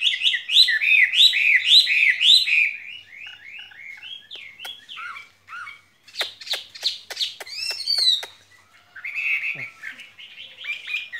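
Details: Skylark kept in a cage singing a rich, fast warble of looping whistled phrases, then a burst of rapid dry clicks and a further twittering run.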